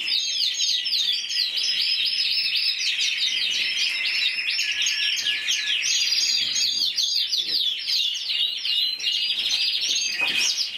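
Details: Song of a 2014 Spanish champion intense yellow canary, judged individually at 94 points: an unbroken stream of fast chattering trills and sweeping whistled notes, bright and high, running without a break.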